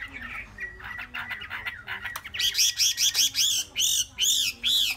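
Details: Three-month-old Chinese hwamei kept as a cage bird, described as showing promise. It gives a varied song that starts with softer notes, then switches to loud, rich, repeated slurred whistles in quick bursts.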